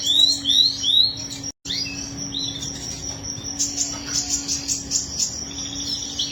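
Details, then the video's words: Canary delivering a long roll: upward-slurred whistles at first, a brief dropout, then a high sustained trill broken by sharp rapid chips, all over a low steady hum. "Kenari Gacor Ngerol Panjang"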